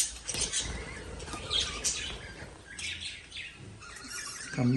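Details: Lovebirds giving scattered high, sharp chirps and short squeaky notes over low background rumble, with a louder burst near the end.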